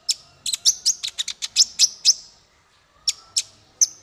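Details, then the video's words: Male kolibri ninja sunbird for songbird training: a rapid run of bright, high chips about ten in two seconds, a pause, then three single sharp notes. "Suara konin untuk masteran burung 100%jitu konin jantan"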